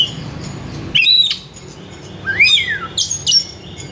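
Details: Oriental magpie-robin in full song, meant to call other magpie-robins: an arched whistle, a pause, then a downward-sweeping whistled slur and bright high chirps, with a quiet low hum beneath.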